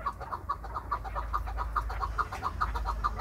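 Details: Kept chukar partridge from Krasnoyarsk calling on its owner's prompting: steady, even run of loud clipped chuk-chuk clucks, a little over two per second, throughout, over faint low hum.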